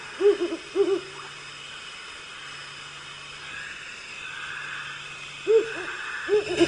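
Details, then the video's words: Wood owl gives soft, low, rhythmic hoots in quick pairs, a brief run near the start and another near the end, over a faint steady hum. "Right, now wood owl, which is far more pleasant to the ears."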